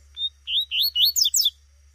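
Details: A female Double-collared seedeater in the bush gives a rapid run of five or six upslurred, thin chirps, each rising sharply and close together.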